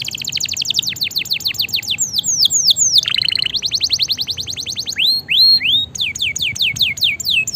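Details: Energetic canary song used for master and stimulation training: rapid falling notes in quick succession, a harsh lower burst, then arching whistled swoops and fresh runs of descending sweeps.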